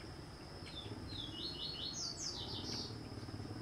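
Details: Yellow-eared woodpecker feeding on a larva; a short series of high, slightly descending chattering notes, speeding up and loudening toward the end, over steady high background hiss and low rumble.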